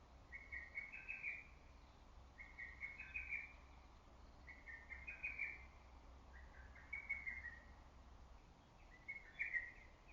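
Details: Lesser cuckoo calling on and on in green early-summer woodland; five fast staccato whistled phrases, each about a second long with a slight upward lift, repeated roughly every two seconds over low steady hiss.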